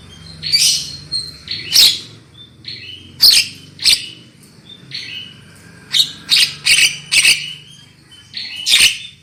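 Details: A recording of a black-winged myna used to lure birds into loud song, with short flat whistles and sharp harsh clicks spaced out in an irregular rhythm, plus a faint low hum underneath.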